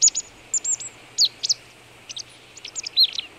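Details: Marsh tit feeding near a wild boar carcass in Vitebsk region, Belarus, 22 February 2013, frosty morning at −18 °C: quick, sharp, high, slurred chip notes given in pairs and small clusters, fairly loud against a quiet background.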